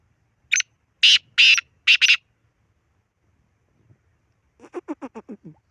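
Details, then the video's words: Black francolin calling: a short harsh note, then three loud rasping, broad notes in close succession, and after a pause a run of six lower, stuttering descending notes, all against a silent background. "کالا تیتر کی مکس آوازیں"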